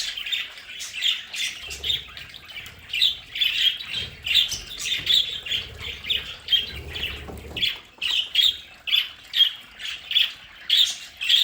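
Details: Pet budgerigars in a home play area chatter steadily: a long run of raspy chirps repeated about twice a second, several birds overlapping, with a stretch of low fluttering in the middle.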